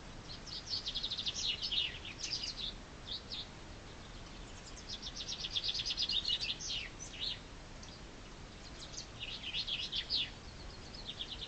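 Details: Chaffinch singing in spring: three bright, high trilled phrases, each a rapid run of sharp notes that falls and ends in a brief flourish, separated by short pauses, over a soft background hiss.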